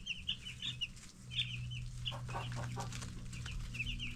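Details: Ten-day-old broiler chicks calling with bright high peeps at the start and end, while the middle is dominated by scratching and rustling noise over a low hum.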